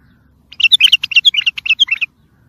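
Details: Bulbul singing, a recording meant for training and stimulating young birds: a lively phrase of about a dozen quick, liquid warbled notes, clear and loud, with a brief quiet before and after.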